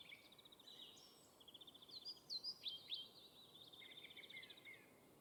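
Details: At a Fieldfare nest where the mother tends her brood: rapid, high chattering trills and squeaky, scratchy notes in quick bursts, over a steady rural background hiss.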